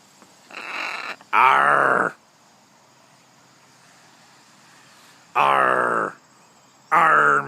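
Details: Blue-and-gold macaw, a pet female on a person's shoulder, giving loud, broad, raspy squawks, about one second long, in pairs separated by pauses, with faint background hum.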